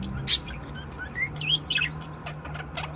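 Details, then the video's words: Several budgerigars warbling: thin whistled notes sliding upward, looping squeaky phrases and brief sharp chirps, with a soft low hum underneath. "Chant perruches"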